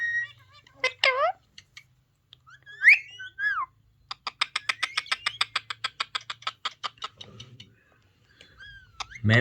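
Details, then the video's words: Indoor ringneck parrot, prompted to talk with a parrot voice played on a mobile phone, gives harsh squawks and a bent whistle, then a long fast burst of clicking chatter, with a low background hum. "Ringneck Parrot talking video | Ringneck parrot Talking Sound"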